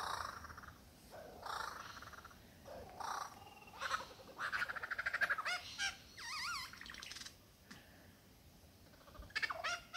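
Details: Courting male lyrebird, found in the Dandenongs, running through his varied repertoire for a female: buzzy rattling bursts, a fast run of clicking pulses, warbling looped whistles, then quiet before a final burst of sharp downward notes.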